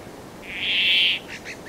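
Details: Brambling song: one drawn-out, harsh, buzzy wheeze of about three quarters of a second, followed by a few faint short chirps.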